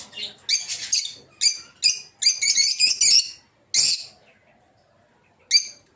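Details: Captive peach-faced lovebirds of several colour mutations, including lutino and blue rosy, in a breeding aviary. Loud, shrill squeaky notes come singly and in quick clusters, then fall silent, ending with one last sharp chirp.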